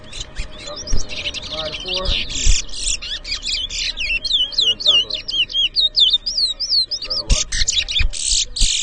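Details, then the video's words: Competition towa towa singing in Edinburgh Village, Guyana, 2023: dense bursts of high whistled notes and rapid slurred trills, at times buzzy and clipped, with voices and low background rumble beneath. "TOWA TOWA BIRD WHISTLING COMPETITION"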